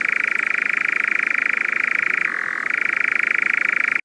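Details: European nightjar, an insectivorous bird of dusk habits whose song recalls an insect, giving a continuous, rapid mechanical churr that holds steady, drops briefly to a lower pitch midway, then returns to the higher churr.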